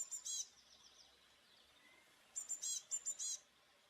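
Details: Eurasian blue tit: a brief burst of high notes, then a thin fading trill, a quiet gap, and a fast run of about six sharp high notes near the end.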